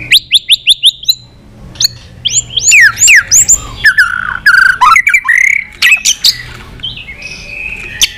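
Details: White-rumped shama singing many voices in a fighting duel: a rapid run of six rising chips, then loud swooping whistles, warbles and a sustained high note.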